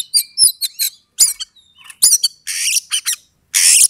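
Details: Oriental magpie-robin, called kacer, sings to provoke an opponent toward fighting. Quick clipped whistles and chips come in short groups, followed by loud hissing, rasping bursts near the end.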